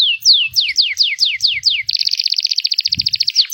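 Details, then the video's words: Panda canary of local stock sings a string of clear falling slurred whistles, then bursts into a rapid, even trill; a soft low thud near the end. "Kenari Panda"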